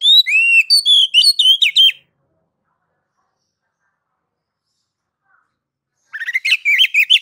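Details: Ngeplong song of an oriental magpie-robin (kacer), played to stir other kacer into singing: a two-second whistled phrase of gliding and quickly repeated notes, about four seconds of silence, then the song resumes with rapid chirps.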